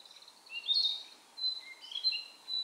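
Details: Narcissus flycatcher singing from a power line beside a dim, tree-lined mountain path on Mount Maya, Japan, 4 June 2017; clear whistled phrases, a bright slurred note followed by shorter rising and falling whistles after a pause.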